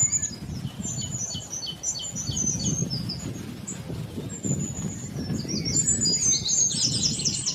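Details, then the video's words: Black-throated bushtits (Aegithalos concinnus) give very high, thin, tinny notes in quick bursts, several birds overlapping, over a steady low rumble of background noise. "Black throated bushtit ( aegithalos concinnus )"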